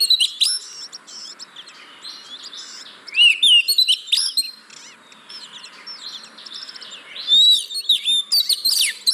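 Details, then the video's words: Oriental magpie-robin song to lure reluctant caged birds into song: short bursts of whistled slurs and sharp notes separated by quieter stretches with a steady background hiss. "Pancingan Burung Kacer Yang Malas Bunyi"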